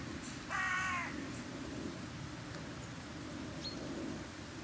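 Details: Carrion crow at a winter feeding site in January, around 0 °C with a south-southwest wind, gives a single harsh, hoarse caw about half a second long over a steady low rumble; Carrion crow.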